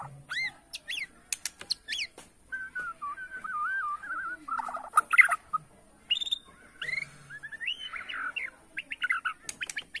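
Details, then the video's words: White-rumped shama of Borneo singing bowing-style to provoke rivals: sharp clicks and high notes, a wavering whistle, a harsh burst, then mixed chirps and trills. "BIKIN EMOSI LAWAN || Gaya SUJUD murai batu BORNEO"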